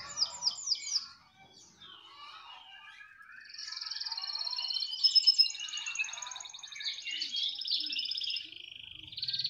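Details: Canary song beginning with a few sharp down-slurred chips, a short pause, then long fast trills and rolling tours held for several seconds.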